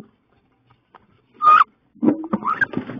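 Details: Female wood ducks scrapping in a nest box, mid-May. A single loud, rising squeal is followed by a burst of low, rough scuffling and a shorter upward squeak.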